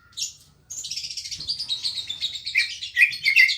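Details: Green leafbird, the cucak ijo, giving a continuous stream of high, buzzy twittering with scattered sharp whistled accents, unbroken for about three seconds after a short opening note; a soft low hum runs underneath.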